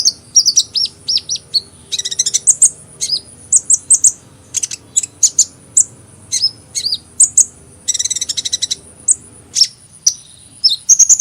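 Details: Lively sunbird chatter of high slurred chips in quick groups, broken by two short rattling trills, with bright single notes scattered throughout.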